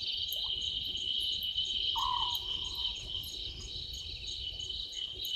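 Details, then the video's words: Small owlet in a tree by Gowrie dam, Djuma Game Reserve, Sabi Sand Wildtuin, South Africa, at 00:38 on 11/12/2023, recorded by a live waterhole camera. One low, slightly falling purred note sounds over a loud, steady cricket chorus. "Small Owlet in tree"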